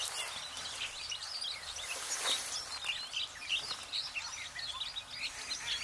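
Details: Red crossbills recorded in 2023, a year with many arrivals; many short, sharp chirping calls overlap throughout, rising and falling in loose bursts over a constant hiss of background noise.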